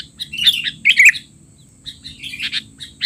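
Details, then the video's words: Sooty-headed bulbul chatter for training young birds: a few clusters of squeaky, tumbling chirps, a brief pause, then softer scattered notes, with a constant faint high whine and low hum behind. "burung kutilang teler!! suara ribut paling cocok untuk kutilang bahan"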